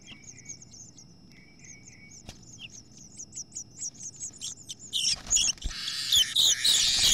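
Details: House finch at a nest that two females fought over, the new female evicting the near-fledged chicks: high, thin, rapidly repeated chirps with a lower buzzy note series, then loud scratchy fluttering noise toward the end.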